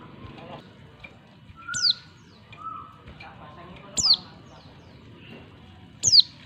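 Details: A female Oriental white-eye calls to attract a male, giving thin, very high, sharply falling calls about every two seconds, with a few softer short whistles between them.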